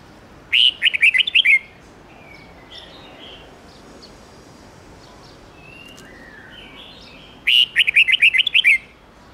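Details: Mature wild-style red-whiskered bulbul song, 10 to 13 notes, played to coach young birds: two bright bursts of rapid, chirpy whistled notes several seconds apart, with faint softer whistles from other birds in between.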